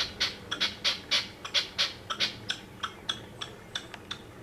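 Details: Red-legged partridge calling from a house roof one evening, filmed with a zoom camcorder: a run of harsh, rasping chuck notes about four per second, loud at first then fading, with faint background hiss.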